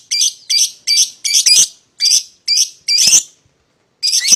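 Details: Shrill, raspy chirps from a paired couple of paud lovebirds, meant to provoke an opponent into calling, delivered in a fast run of about eight bursts and then a short pause before another.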